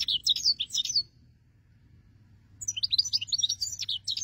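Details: European goldfinch song used as a hunting lure: two bursts of rapid, tinkling, twittering notes high in pitch, about a second each, separated by a silent pause, over a faint low hum.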